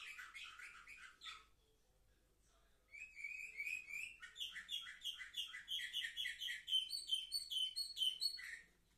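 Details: Young Orfey canaries, seven months old, filmed 10 November 2023: a short chatter, a near-silent pause, then a rapid pulsed trill of evenly repeated notes that climbs in pitch before stopping.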